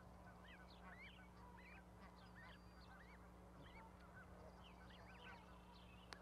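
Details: Goose goslings on an osprey nest platform with a parent, Charlo, Montana, May 12, 2020; the fluffy young are about to leave the nest for the water. Many quick, high, rising and falling peeps overlap constantly over a steady low hum.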